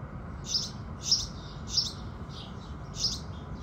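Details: House sparrows greeting the rising sun with five crisp, high chirps, a few close together then a short gap before the last, against a faint steady hiss.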